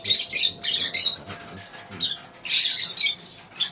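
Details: Short, harsh, high squawks and chirps from lovebirds in a colony, coming in clustered bursts with quiet gaps between.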